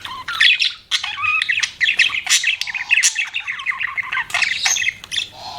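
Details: Continuous budgerigar warbling: rapid, scratchy chatter of clicks, squeaks and buzzy trills with hardly a pause, loud and busy throughout.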